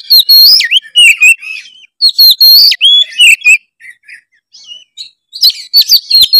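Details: Oriental magpie-robin singing energetically, offered as a lure song to spur reluctant magpie-robins into singing. Loud, clear whistled phrases with sharp rising and falling notes mixed with buzzy chatter, in bursts of about a second separated by brief pauses.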